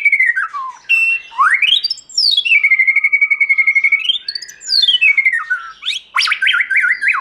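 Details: A white-rumped shama sings wild-style: falling and rising whistled glides, a long rapid level trill, then quick jerky chirps, loud and clean.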